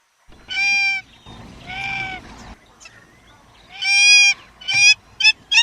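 Hamerkop giving nasal, rich-toned honking calls, three drawn-out notes followed by a quick run of shorter clipped yelps; otherwise quiet.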